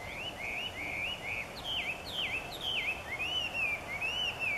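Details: Chinese Hwamei calling loudly from morning onward near Niiharu Citizens' Forest, Japan, as if practising its voice: a brisk series of clear arched and dipping whistles, each slurred note repeated with small variations, about two per second.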